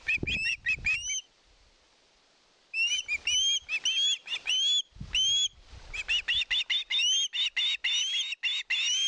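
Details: Osprey at a nest filmed by a live nest camera in Satakunta, Finland, 2022, begging for fish: bursts of sharp, upslurred whistled yelps repeated rapidly, a brief pause, then a longer excited series, with low thumps and rustling at the nest.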